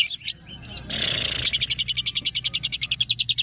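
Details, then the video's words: Female fighter-type lovebird, one and a half years old, from Balikpapan, a competition bird since three and a half months. After a brief harsh noise burst, it gives a fast run of high, sharp chirps, about three or four per second, evenly repeated. "Love bird fighter"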